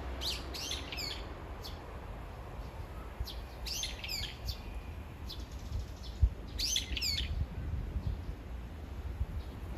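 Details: A brown-eared bulbul calls repeatedly, described as longingly calling for its absent mate: shrill, squealing calls in bursts of several notes, pausing between bursts, over a steady low rumble of wind or distant traffic.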